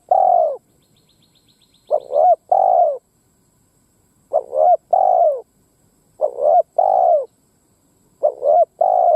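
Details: Spotted dove lure bird cooing to provoke wild rivals: phrases of two quick clipped notes followed by a longer arched coo, repeated about four times, with a faint thin chirping early on.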